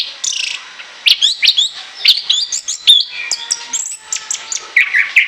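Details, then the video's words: Orange-headed thrush delivering its open chattering song, ngoceh ngeplong, for use as a lure. Dense rapid series of clipped whistles and slurred notes, steady and energetic throughout, with a few sharp clicks. "ANIS KEMBANG NGOCEH NGEPLOOONG"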